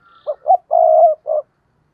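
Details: Tree-perched decoy spotted dove calling to bring in wild doves: a single crisp phrase of two short coos, one long sustained hoot and a closing short coo, in a quiet setting.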